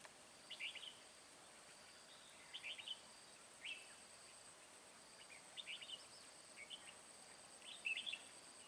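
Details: Late-afternoon bulbul trapping on 10 March 2020, with a Red-whiskered bulbul giving brief lively warbled phrases, each a quick cluster of high chirping notes, spaced one to two seconds apart against soft continuous hiss.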